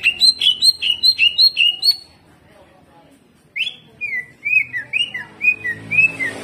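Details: Greater green leafbird in gacor, jamtrok form: a string of bright, repeated whistled notes with high overtones, a short silence, then a lower series of swooping, downslurred whistles delivered in a steady pulse.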